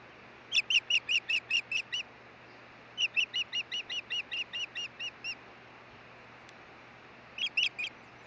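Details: Wild osprey at the Hellgate nest, Montana, 16 June 2013, during a nest changeover: bursts of piercing whistled cheeps, seven quick notes, a pause, a longer run of about thirteen, then four more, over a constant background hum.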